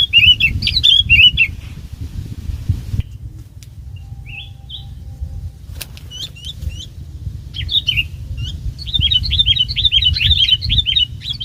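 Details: Bulbul decoy used for trapping: bursts of rapid warbled whistles at the start and end, with a quieter middle stretch holding a few scattered notes and a sharp click, over steady low rumble.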